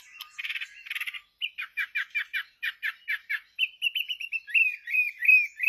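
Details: Chinese hwamei in lively song. Two buzzy rattling bursts come first, then a steady series of about a dozen harsh repeated notes. The song ends in a rising, looping whistled warble.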